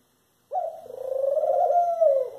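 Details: A single long, rasping call from a Eurasian collared dove: low and nasal, holding one pitch for nearly two seconds before breaking off abruptly, with no other sounds around it.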